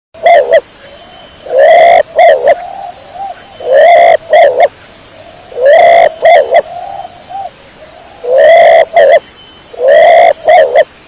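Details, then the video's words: Pigeon cooing: five loud, bursting coo phrases, each a strong rising note followed by two or three quick clipped pulses, spaced about every two to three seconds, with soft low murmuring coos between them. "THE SOUND OF THE PIGEON CLEAR SOUND"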